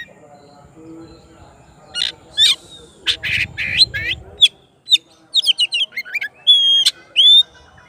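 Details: Oriental magpie-robin song aimed at a rival: harsh buzzy bursts give way to a fast run of sweet whistled slurs and bright upward notes, with faint low noise early on.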